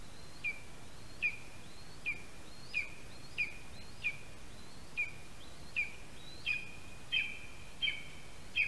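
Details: Male lesser spotted eagle at a spruce-tree nest in Latvia, 8:16 AM on 13 August 2021, calling for his mate after bringing a mouse: thin high yelping notes, each sliding down, repeated roughly every 0.7 seconds, twelve in sequence over a soft noisy background.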